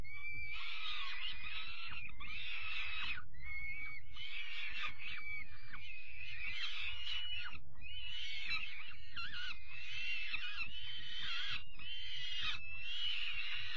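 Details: Peregrine falcon chicks being fed in the evening, 5 May 2021: a long series of harsh, chattering screech bursts, some with a clear rising whine, with steady low background rumble.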